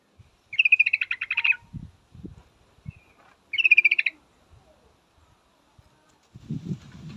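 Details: Calling to a male, a female yellow-vented bulbul gives two rapid chattering bursts about three seconds apart, with low knocks and thumps in between and rumbling noise near the end.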